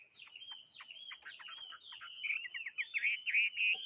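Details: Bird song opening with rapid clipped chirps and trills, building into louder, warbling, twisting whistled phrases over the last second and a half; the background stays quiet.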